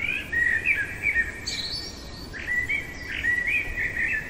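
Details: Common blackbird at night pouring out a run of fluting, warbled notes, a high twitter near the middle, then further mellow whistled phrases following closely, steady faint hiss underneath.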